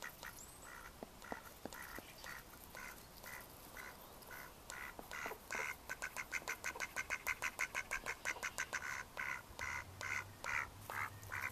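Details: Mallards in May 2014 give nasal, harsh quacks, at first about every half second, then quickening into a fast rattling run of calls; a low hum enters near the end.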